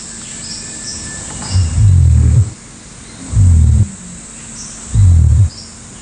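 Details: Adult male Southern Cassowary in Australian coastal rainforest roars to warn his three five-month-old chicks of a nearby monitor lizard: three very deep, rumbling booms, each under a second, roughly every two seconds, over faint music and high hiss.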